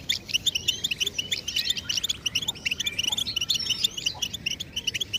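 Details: European goldfinch song used as stimulation: dense, fast twittering of bright chirps and short trilled phrases, high-pitched and nearly continuous, with thin buzzy notes and quick rising and falling slurs throughout.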